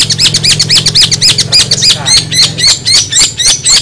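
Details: Long-tailed shrike singing actively with strange sounds: quick bright chirps with sharp rising and falling strokes, about four a second, over a steady low hum.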